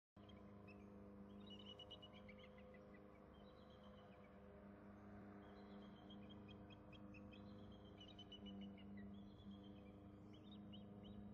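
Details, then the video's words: Bald eagle pair at the nest during incubation: one bird returns to the eggs and both call, the mate nearby. Faint series of high, thin chittering notes run in quick bursts over a steady low hum. "both calling"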